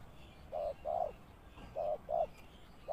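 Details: Spotted dove kept as a lure bird on the ground for trapping, giving soft low coos in pairs, short then longer, fairly quiet against faint background hiss.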